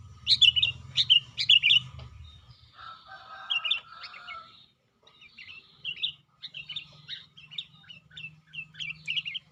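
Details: In its cage, a sooty-headed bulbul sings actively. Three quick whistled phrases open, then a softer warbled passage, then a run of short chirpy notes about twice a second, with a low hum in the background.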